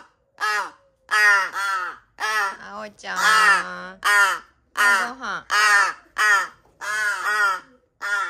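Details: Rescued large-billed crow chick, hand-raised indoors, filmed 13 August 2022 while eating: a rapid run of short hoarse, nasal 'ah' calls, roughly a dozen, irregularly spaced, with a brief low human voice in the middle.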